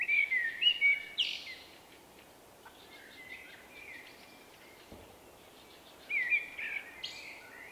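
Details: Common blackbird male, a wary individual with a distinctive song, March 2024: a loud whistled phrase with high twitters at the start, a long quiet gap with faint notes, then another whistled twittering phrase.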